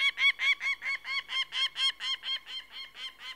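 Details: Peregrine falcon uttering a quick burst of about fourteen rough, strident notes, each a short scratchy 'kek' delivered almost four times a second in an uneven rhythm.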